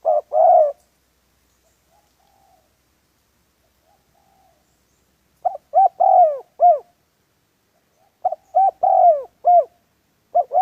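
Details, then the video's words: Spotted dove used in trapping, giving cooing calls: short bursts of low, hollow coos in phrases of three to five notes, with a gap of silence between the first phrase and two later ones. "Sound of dove so cut"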